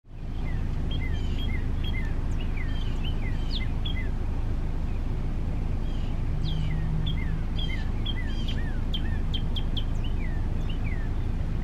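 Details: Male Northern Cardinal singing: clear downslurred whistled notes repeated in rapid series, some paired with higher sharp slurs, continuing throughout against a steady low rumble of background noise.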